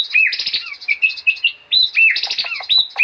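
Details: White-rumped shama (murai batu) in lively 'gacor' song used as a master recording for training captive birds: rapid varied phrases of sharp whistles and chattering notes, bright ringing tones repeated in quick bursts.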